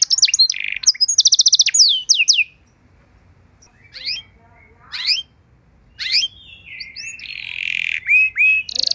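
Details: Canary song used as a tutor and trigger for other canaries: rapid buzzy trills and sweeping whistles early on, then scattered short rising notes broken by silent gaps, ending in a drawn-out warbling phrase.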